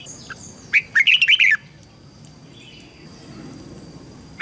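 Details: Red-whiskered bulbul song played to coach young birds in learning their voice and to push wild-caught birds into singing. One short run of quick, lively warbling notes lasting under a second, then near silence with a soft faint hiss.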